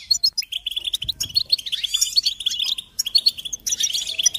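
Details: European goldfinch song, offered as a training recording for young songbirds: fast, dense twittering of bright, tinkling notes with short buzzy trills, broken by a brief pause near the start and another after three seconds.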